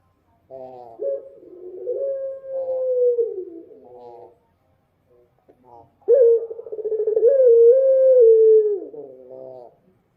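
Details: Night-time dove song: a pair of prolonged low coos with a buzzy, rich tone, each opening abruptly and fading downward, with a quiet gap between them.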